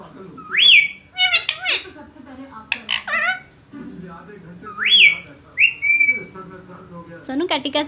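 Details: Ringneck parrot kept as a talking pet, mixing speech mimicry and whistles. Twice it gives a clear whistle that climbs and then levels off, each time among bursts of scratchy, chattering speech-like syllables and short buzzy notes.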